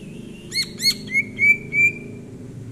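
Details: Leisurely greater green leafbird song, recorded January 2022: two crisp, ringing chirps lead into three longer, flat, flute-like whistles spaced evenly, with a soft low hum in the background.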